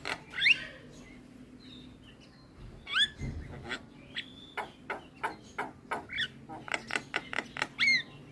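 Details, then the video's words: Javan myna (jalak kebo) therapy recording to stimulate a quiet bird: scattered upslurred whistles and soft buzzy notes, then a fast run of crisp clicks ending in a sweeping whistle. "Pancingan Dan terapi Burung Jalak Kebo Malas Bunyi Sekali Putar Langsung Nyaut"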